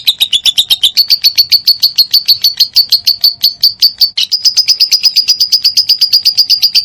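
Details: Lovebird tutor song meant to get other lovebirds singing: a long run of rapid, high, ticking chirps that speeds slightly and steps up in pitch midway, continuing without a break.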